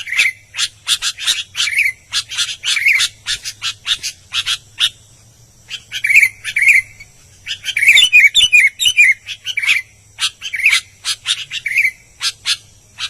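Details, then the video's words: An albino sooty-headed bulbul in lively song, delivering long runs of rapid chirps and liquid, bubbling warbled phrases. Busy stretches alternate with short pauses, and a faint steady low hum runs underneath. "BURUNG KUTILANG ALBINO GACOR"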